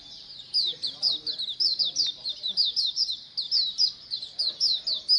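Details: Oriental white-eye colony chorus, played to get birds to open their beaks and sing more: rapid, overlapping high chirps and short descending twitters, nearly continuous with brief gaps, no other sounds.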